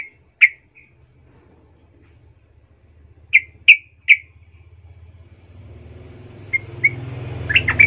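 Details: Sooty-headed bulbul calling as a lure to agitate other birds: scattered single sharp chirps and a cluster of three, followed by quicker warbled notes as a rising vehicle rumble fills the background.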